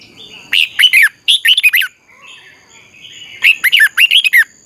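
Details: Red-whiskered bulbul trained for singing, giving clear bursts of quick rising and falling whistled notes, two phrase groups separated by a second of near silence.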